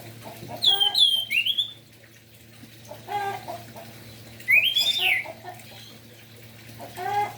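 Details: Morning song of an orange-headed thrush meant to excite other thrushes to sing: two bursts of loud slurred whistles, rising and falling, separated by soft scratchy notes and pauses, with a steady low hum behind.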